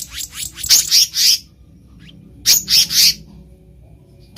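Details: Wild black-naped monarch, recorded as a trapping lure: two short bursts of high, harsh chattering notes, each run of about six quick notes, with a silent pause between them.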